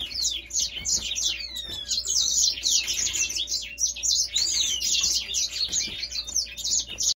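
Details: Sustained high-pitched Grey singer song, a fast jumble of chirps, twitters and short downward-sliding whistles delivered in dense bursts with only brief dips, steady throughout over a low background hum.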